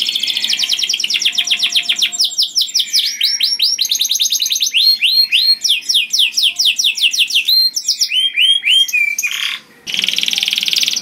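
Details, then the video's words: Loud, melodious canary song meant to draw in other canaries, a long run of fast rolling trills and repeated swooping notes changing tempo every few seconds, with a short pause near the end before a buzzy trill resumes. "Burung Kenari Bunyi Gacor Merdu dan Keras Cocok Sekali Untuk Pancing Kenari Lain || Voice of Canary"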